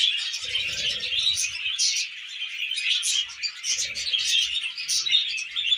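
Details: Several tame budgerigars busy eating millet keep up steady twittering chatter of quick squeaky notes and warbles, with two short bursts of low murmuring underneath.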